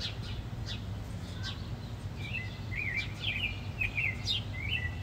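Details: House sparrows fighting; sharp, scratchy chirps and short descending notes come in quick uneven bursts over a steady low rumble of background noise.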